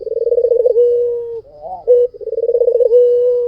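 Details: Low cooing from a white puter dove. A quick throbbing trill slides into a long level note, then comes a short wavering coo, and the same rolling-then-held phrase repeats.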